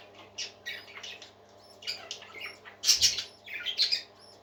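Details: Parakeet chatter indoors: quick rasping chirps at first, then louder harsh squawks clustered near the end, spaced irregularly about once a second, over a low mains hum.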